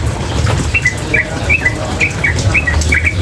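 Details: Female sooty-headed bulbul giving rapid ropel calls. Paired sharp chips fall slightly and repeat roughly twice a second over a strong low rumble of running water.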